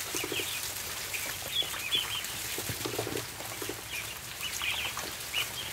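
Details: Ducklings on a barn floor at feeding time give scattered high, thin peeps, short chirps dotted through the clip over constant scratchy clatter of feeding and a low steady hum.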